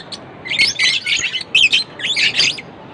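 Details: Short sequence of lovebird chirps: about six clustered bursts of high, squeaky twittering, each burst a tight knot of sharp notes separated by brief quiet spaces.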